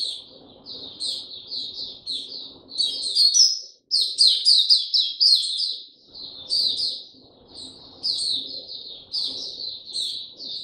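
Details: Singing caged Oriental white-eye, going slow and easy: long, steady stream of high, sweet, slurred chirps, swelling into a busier twittering passage midway, with soft low murmuring in the background.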